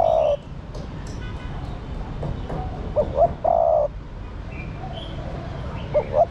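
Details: Calls of a female spotted dove meant to stimulate the male: a long mellow coo opens, then two short rising coos and another long steady coo, with the short pair repeating near the end over soft background noise.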